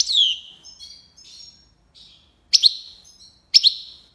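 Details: European goldfinch, Algiers, tiwawati style: a descending whistled note, several soft, thin notes, then two sharp double chirps about a second apart.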